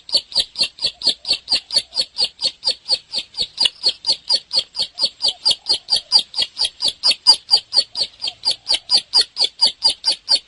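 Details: Ciblek, the bar-winged prinia, singing tirelessly: a long unbroken train of short, high, rasping notes repeated about twice per second at a very even pace, some notes slightly louder than others.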